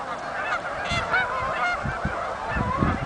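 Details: Incoming Canada geese at a marsh, Oak Hammock Marsh and Fort Whyte; loud, closely packed honks overlap constantly, a few clearer two-note honks near 1.2 seconds, over scattered low bumps of background noise.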